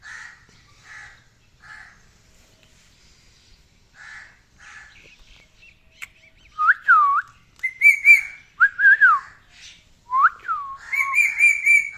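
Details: Pet parrot whistling: soft repeated chirps, then loud tonal whistles that swoop and dip, some rising and falling, with sustained high whistled notes near the end.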